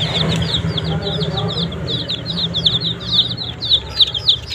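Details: Dense chorus of shrill, downward-sliding peeps from chicks pecking at green leaves, rapid and uneven, layered over a low rumbling hum.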